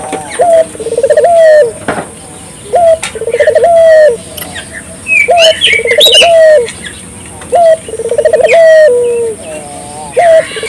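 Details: Persistently calling Barbary dove, known locally as burung puter, played to provoke local doves into calling; stuttering pulsed coos end in a held, slightly falling note, phrases recurring every few seconds amid scattered sharp chirps and whistles of other birds.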